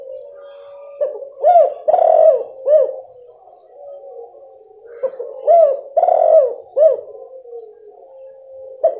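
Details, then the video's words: Spotted dove female calling to stimulate a male that has gone quiet; two phrases of three low coos about four seconds apart, a drawn-out rough middle note in each, over a steady faint murmur. "Suara Betina PANCINGAN tekukur jantan MACET bunyi"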